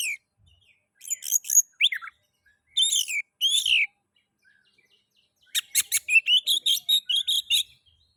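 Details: Oriental magpie-robin (kacer) song intended to stimulate other magpie-robins to sing: scratchy buzzy phrases and slurred whistles, a quiet gap, then a fast rattling series of rapid chips and twitters.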